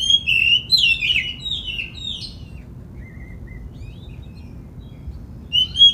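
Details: Oriental magpie-robin in full song, played as a lure to draw other magpie-robins into singing and tail-spreading: bright whistled, warbling phrases sliding up and down in a burst, a quieter pause with soft notes, then a sharp whistle returning.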